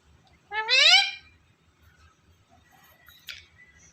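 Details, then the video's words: Pet talking parrot, prompted by its owner to call "Mummy", gives one drawn-out, nasal, rising word-like call of under a second, followed by a faint click in an otherwise quiet room. "Parrot Talking Voice Mummy Mummy"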